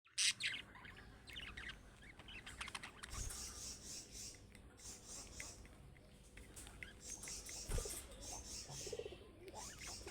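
Budgerigars chatter with a steady stream of bright, scratchy chirps and warbles.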